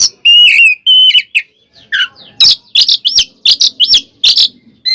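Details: Oriental magpie-robin in energetic fighting song meant to provoke other birds: loud whistled notes, a few sustained clear tones then rapid bursts of sharp chirps and buzzy notes, with short pauses.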